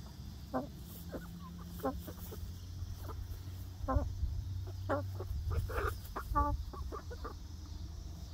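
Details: Young egg-laying hens of a new flock on their first day in a new outdoor backyard run; scattered short harmonic clucks and chirps, some upward-bending, spaced irregularly over a steady low hum.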